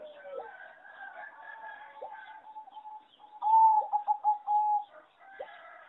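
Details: Competition singing zebra dove from a breeding farm, its melody judged weak: soft overlapping coos from several doves at first, then one loud rapid purring trill of stuttering pulses for about a second and a half.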